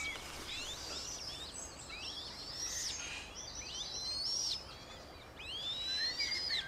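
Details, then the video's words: At Beverwijk, the Netherlands, a Eurasian coot brood of five chicks gives thin, high, slurred peeps, some rising arcs standing out clearly near the end, amid steady soft background noise. "Eurasian Coot with 5 chicks"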